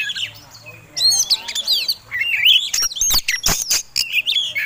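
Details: Oriental magpie-robin kept for song contests, singing a fighting lure song: energetic stream of high whistled slurs, buzzy notes and sharp clicks, loud and continuous after the first second.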